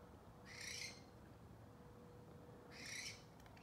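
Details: An unidentified night caller in San Diego, thought to be an owl or possibly a bat, gives two harsh, hissing screeches about two seconds apart, each under half a second long, over a faint steady low hum.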